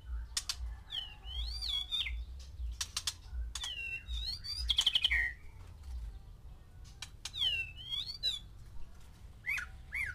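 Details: Breeding white-rumped shama, a single male housed with six females to trigger mating: bright rising and falling whistles separated by sharp clicks, with one loud buzzy trill midway.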